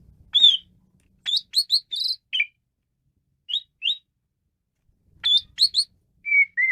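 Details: Asian pied starling in excited song: clusters of short, sharp, upward-flicking whistles in quick series, gaps between phrases, ending on two longer descending whistled notes.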